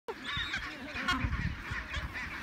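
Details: Chinstrap penguin (Pygoscelis antarcticus) chicks follow a parent begging for food with harsh, overlapping squawks that run without pause, against a low rumble of wind.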